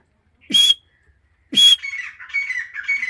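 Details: A female grey francolin (Ortygornis pondicerianus), called an Iranian female, gives two loud, harsh, ringing squawks about a second apart, followed by a softer, wavering chatter.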